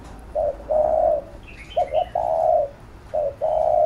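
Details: Spotted dove giving a training coo for a young captive bird: short clipped notes running into long, steady, hollow coos, three phrases in quick succession, with a brief higher chirp from another bird.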